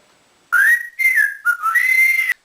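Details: Male African grey parrot, a caged pet trained to mimic, whistles a quick phrase: a rising slur, a falling note, a short dip, then a long level tone, loud and clear indoors.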